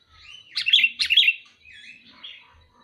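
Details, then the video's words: Sooty-headed bulbul calling: two loud, bright chirping bursts close together, then a softer, warbled tail of notes, all sharp and high-pitched. "Suara burung kutilang memanggil"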